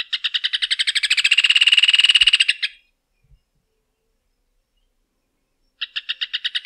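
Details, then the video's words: Rufous hornero trilling: a fast, loud series of repeated ringing notes ending abruptly, a pause, then a new run of spaced notes beginning. "Canto do João de Barro / Maria Barreira | Rufous Hornero | Furnarius Rufus"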